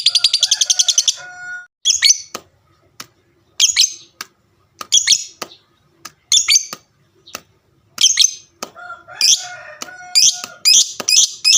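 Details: Fighter lovebird giving a long chattering trill meant to provoke other lovebirds into answering: a rapid buzzy rattle at the start, then sharp high squeaky chirps repeated roughly every second, with some lower tonal notes.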